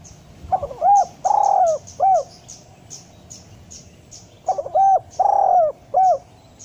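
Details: Spotted dove calling, a recording used to stir lazy doves into calling and to lure wild doves; two short soft coos, one long rolling coo and a final short coo, the phrase given twice, with thin high chirps throughout.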